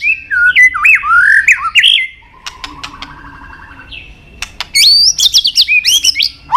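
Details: White-rumped shama, much prized by bird-song fans: looping whistled phrases dipping and rising, a soft quiet buzzy stretch, then rapid high flicked notes and clicks.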